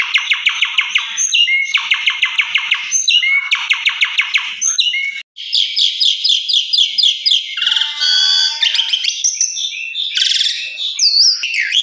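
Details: Asian pied starling song, played indoors as a lure to bring a bird into full song: rapid rattling bursts in repeated phrases, then a varied run of whistles, squeaky notes and harsh chatter, bright and high-pitched.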